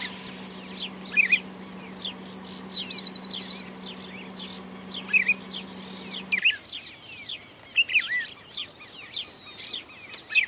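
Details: Monk parakeets on a cable and a hornero nest in rural farmland in Argentina, waiting to raid nearby maize, chatter in short, harsh, overlapping squawks in quick bursts; a low musical drone runs under the first six seconds.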